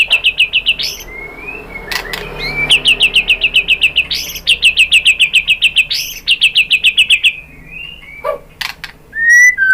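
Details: White-rumped shama song, used as a lure to spur caged birds into singing: fast bursts of sharp repeated chips in rapid series, interrupted by short rising whistles, then loud clicks and thin high notes near the end.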